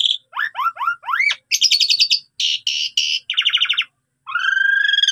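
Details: Captive Asian pied starling, singing constantly with many imitated phrases, used to provoke rival starlings: four quick rising whistles, several harsh buzzy bursts and rattles, ending in a long rising, wavering whistle. Background quiet.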